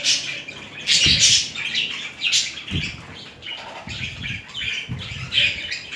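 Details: Budgerigars mating, two birds engaged in courtship movements: bursts of high chirping and twittering chatter come in uneven spurts, mixed with soft low thumps and fluttering sounds from the birds moving.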